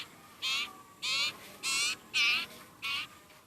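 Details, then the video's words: Sirpu bird, also known as sirtu, begging from hunger: five drawn-out, scratchy, buzzing calls spaced about every half to two-thirds of a second. "Burung sirpu/sirtu lagi lapar berat"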